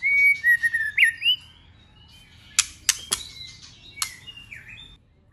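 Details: Female White-rumped shama singing forest-type song: opening whistled slurs rising and falling, then hard clicking notes and a few thin whistles fading out.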